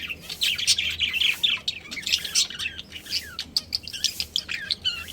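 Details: Breeding pair of pet budgies chirping, quick high twitters and clear rising and falling whistled notes, tumbling over one another with little pause.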